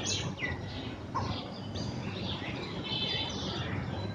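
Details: A pair of black drongos in Bangladesh call together in the early morning, possibly establishing territory. They give short, sharp, metallic notes, some sliding downward, scattered over a steady low rumble.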